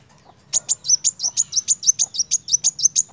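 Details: A kolibri wulung sunbird sings energetically in 'narung' fashion. A long, steady run of about fifteen sharp, high, piercing chips comes roughly five per second, over a low steady hum.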